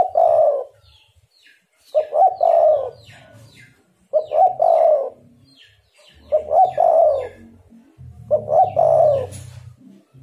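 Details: Spotted dove calling as a lure to draw answers from other doves: five low, mellow coo phrases repeated roughly every two seconds, each opening with quick clipped notes and ending in a drawn-out purring coo, with faint low rumbling between phrases.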